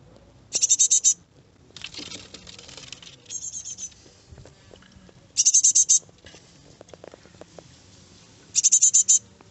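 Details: Several fledgling great tits in a garden, harsh high rattling bursts of rapid notes recurring every few seconds, mixed with rustling, softer chirps and background noise.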